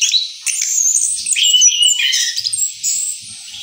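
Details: Rolling song of an Orange-headed thrush after moulting: a dense, continuous stream of high twittering notes and quick slurred whistles with scarcely any pause.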